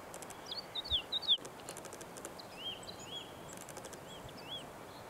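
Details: A woodlark on Børsmose Hede heath, 30 March 2019, gives soft, liquid whistled notes in short slurred high phrases scattered over a few seconds, against a steady background hiss with faint ticking.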